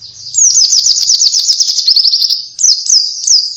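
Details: Pleci, the Oriental white-eye, singing in a lively style meant for luring other birds: dense, high chattering twitters run steadily for two seconds, a brief dip, then three sharper rising chirps.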